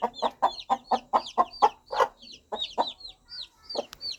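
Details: Mother hen calling her baby chicks, gentle clucking guiding them toward warmth, food and safety: low rhythmic clucks about four per second, with high, thin chick peeps chirping above them throughout.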